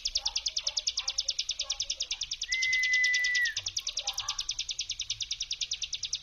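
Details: Lure recording of a Bar-winged prinia 'brem' song meant to stir rival prinias to reply: a continuous rapid trill of high, buzzy pulses, with a steady whistled note of about a second in the middle and faint lower chirps beneath.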